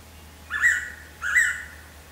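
A Blue-winged Pitta gives two clear, mellow whistled notes about two-thirds of a second apart, each sliding up then holding steady, over a faint low hum.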